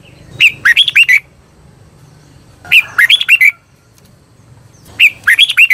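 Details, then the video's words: Red-whiskered bulbul singing as a decoy to lure wild birds and spur other bulbuls to sing: three short bursts of bright, looping whistled notes spaced about two seconds apart, faint low background hum. "CHÀO MÀO HÓT CHÉ GỌI BỔI CĂNG ĐÉT"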